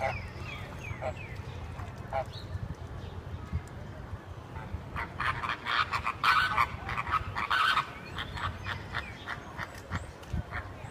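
American flamingos give nasal, goose-like honks in a burst near the middle, several birds overlapping, over a steady low rumble of background noise.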